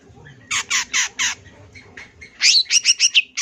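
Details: Champion long-tailed shrike singing a full-fill tutoring song: four harsh, raspy squawks at an even pace, a short pause, then a fast run of six high, sharp, chattering notes.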